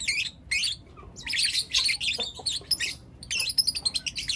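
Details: Young lutino lovebirds chirping in the morning: rapid shrill twitters in loud clusters, a brief lull near the middle, then another run of sharp, evenly spaced high chirps.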